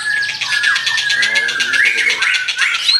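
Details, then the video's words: White-rumped shama singing energetically: a long sustained whistle that wavers and rises, set over a fast pulsing buzz, with short harsh notes. "Duara burung mura gacor"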